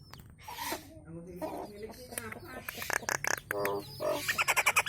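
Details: Nias hill myna singing for cage-bird training: nasal harmonic notes and sharp clicks in an uneven run, ending in a string of bright, rapid whistled pips.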